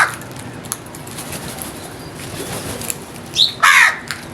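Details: Crow calling near the end: a short rising note, then one harsh, rasping caw, over a low background of faint distant chirps.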